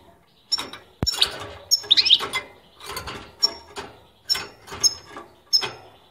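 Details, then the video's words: Caged European goldfinch reacting excitedly to a played recording of its favourite song: rapid bursts of high twittering and tinkling notes in short phrases, with a sharp click near the start. "شاهد ما فعله حسوني لما اسمعته بتبتتي المفضله جن جنونه"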